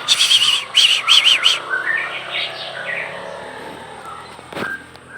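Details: Oriental magpie-robin of the Aceh type, singing in the 'pelor' style with a rich repertoire: rapid bursts of high, sharp chirping trills, then a run of softer varied warbled notes fading out, with a brief click near the end.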